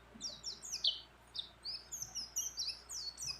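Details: Breeding-condition female mountain white-eye calling to a male, delivering rapid very high twittered notes, each sliding downward, in loose bursts with brief gaps, against faint background noise.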